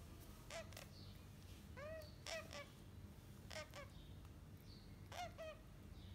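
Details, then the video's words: Healthy parrot chicks, fourth week of age, uttering hoarse, wavering calls in small clusters roughly every one to two seconds, with faint scratchy knocks and a steady low hum underneath. "Healthy Parrot Chicks in 4th week"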